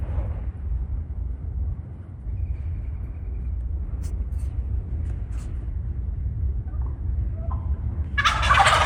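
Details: Wild turkey in Minnesota woods on the morning of the 16 April 2025 turkey opener, with gobblers 200–300 yards off: a loud, rapid, rattling gobble bursts out near the end over low wind and handling rumble.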